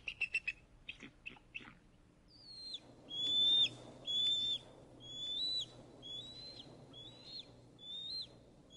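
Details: Bald eagle giving a quick burst of short chattering pips, then a series of thin, high whistled notes, each slightly upslurred, about one every 0.7 seconds, over faint background hiss.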